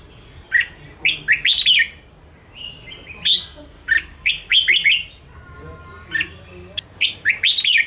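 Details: Red-whiskered bulbul kept in a cage, a wild-caught bird sung to provoke and train other caged birds, delivering repeated lively warbled phrases in clusters every second or two, with a faint tonal hum midway.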